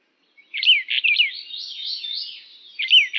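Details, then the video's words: A brown bullfinch (Pyrrhula nipalensis uchidae) calls a quick series of high, down-slurred whistled notes with brief buzzy trills, starting again after a short pause, with no other sounds. "褐鷽/Brown bullfinch Call"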